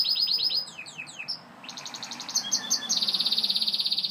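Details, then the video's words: A Gloster canary sings quick descending sweeps, pauses briefly, then moves into rolled trills and a long bright rapid chattering tour; some low room noise beneath. "Gloster Canary Bird Singing"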